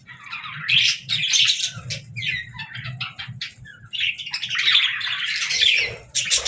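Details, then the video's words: Budgerigar singing: a chattering warble of scratchy, buzzy chirps and short squeaks in bursts, dipping briefly near the middle before resuming, with a faint low hum underneath. "Budgies Singing"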